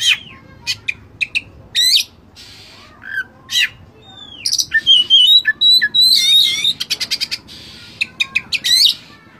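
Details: Kacer full fill-in master recording, Oriental magpie-robin, used to train and rile caged birds: rapid clicks and buzzes, a curving whistle, then a sustained rippling warble and a fast run of ticking notes.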